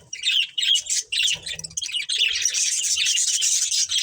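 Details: Budgerigars in a family group chirp steadily, the high scratchy warble starting in choppy bursts and then running as one continuous chatter for the last half.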